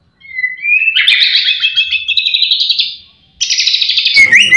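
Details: White-rumped shama song with a full repertoire of imitations, used as a lure to get other shamas singing: a rising whistled note swells into rich, rapid warbled phrases, a short pause, then a loud burst of dense chattering notes.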